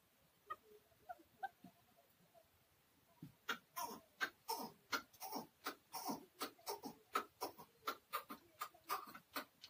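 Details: Caged keklik, the chukar partridge, in Tajikistan in 2020: a few faint scattered clucks, then a sustained series of sharp, rhythmic chuk notes starting after three seconds and repeating roughly every three-quarters of a second.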